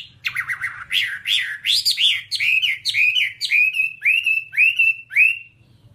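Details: Whambie tutoring song for training pet birds: fast warbled phrases settling into a repeated series of clear upward-curving whistles about twice a second, ending abruptly, with faint low hum beneath.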